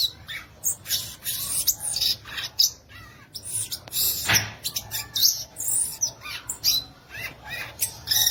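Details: Song of the violaceous euphonia (guriatã): dense, hurried bursts of high scratchy chirps and twitters, delivered almost continuously with brief gaps, with one louder sharp note near the middle.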